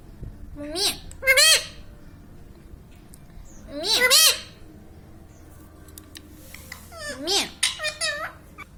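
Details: Parrot heard talking "mummy papa": paired speech-like syllables with arching pitch, repeated about every three seconds, ending in a quicker cluster of short notes; faint room noise throughout.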